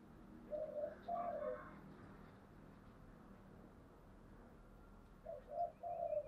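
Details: Spotted dove, giọng thổ singing style: a few soft, hollow coos near the start, then a long stretch of low hum and background noise, and a final group of three coos.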